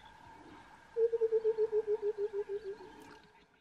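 Burchell's coucal gives a quick bubbling run of about fourteen low, hollow hoots, roughly eight a second, over a faint steady background hum.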